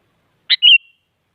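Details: Sooty-headed bulbul, very active, calling to push opponents into singing: a sharp short note followed by a bright level whistle that trails off.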